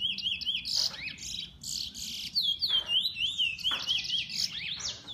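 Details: Loud, rapid warbling from a bullfinch owned as a pet: chains of high zigzag trills and sharp chirps run almost without pause through the whole stretch.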